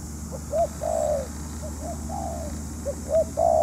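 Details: Spotted dove used as a decoy while trapping wild doves, calling in a rural setting. Short soft coos lead into longer, fuller crooning notes, with several phrases overlapping in quick succession over a low steady hum.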